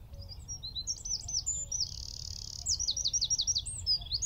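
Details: Singing from a tree at Wicken Fen, around 15 m away, a Eurasian wren recorded by phone, telescope and shotgun mic delivers high chirps, a sustained shimmering trill, then a fast series of descending whistled notes.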